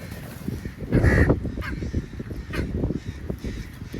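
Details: Crow feeding on meat, described as angry, lets out a single loud, hoarse caw near the start, with fainter calls after it over rumbling wind and handling noise.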